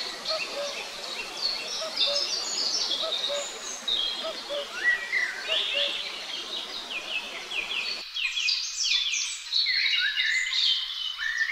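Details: A pair of great spotted woodpeckers tending their young: a dense, ceaseless chatter of high, overlapping chirps and short descending squeaks, over a low background hum that drops away partway through.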